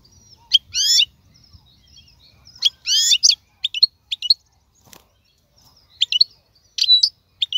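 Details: Wild European goldfinch, 2022 season: sparse, separated bursts of liquid twittered notes and short sharp chips with pauses between them, plus faint low background rumble.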